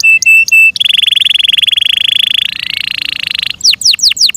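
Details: A Yorkshire canary, kept as a pet, sings a few clipped high notes, then a long rapid rolling trill that steps up in pitch, before closing with quick downward-sweeping whistles.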